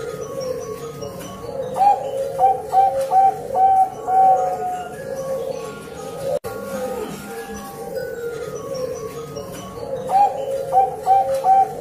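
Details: Zebra dove female, Bangkok perkutut type, calling for a male: two bouts of quick, clear, evenly pitched cooing notes separated by a quieter stretch, with a constant low hum underneath throughout.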